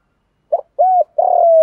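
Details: Brief thổ-style coo phrase of a spotted dove used as a lure for trapping: a short clipped note, a smooth rounded coo, then a long, slightly rough drawn-out coo.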